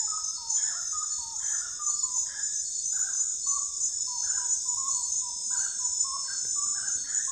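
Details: Common gallinule giving a long string of short, clipped tonal notes, some rising and some falling, delivered in uneven bursts against a steady shrill insect chorus.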